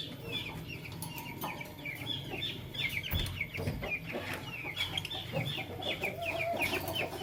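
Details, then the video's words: Morning chatter of Fischer's and masked lovebirds: dense, overlapping, quick high chirps and twitters running almost without a break over a low background rumble. "LoveBird Chirping Sound - Lovebirds Fischer & Lovebirds Personata"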